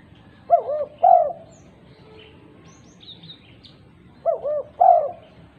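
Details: Lively female spotted dove calling to other doves, giving two three-note phrases of soft coos, two short arched notes followed by a fuller held coo, with scattered faint high twitters from other birds.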